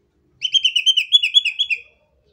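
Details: Sumatran leafbird from Sumatra singing a rapid, energetic 'tembakan' phrase: about a dozen quick warbled, slurred whistles run together over one and a half seconds, steady in pitch, in otherwise silent surroundings.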